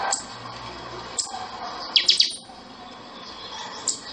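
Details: Buffy-fronted seedeater (pixoxó) singing the chanchão style of song: a sharp high note, then a quick burst of three ringing, metallic notes, then another lone high note, over a steady background hiss.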